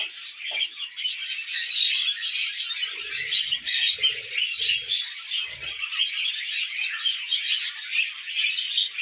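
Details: Tame budgies at millet fill the air with constant loud, high warbling chatter, layered chirps and grating notes with no pauses, plus a few soft low knocks.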